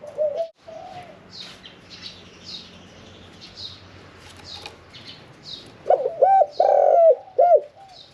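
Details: Caged Spotted Dove of the 'khan yon 1 kuk' style, medium voice, kept 1 year 4 months. Brief coos open the clip, then quiet chirping from other birds, before a loud rolled coo phrase with a long note near the end.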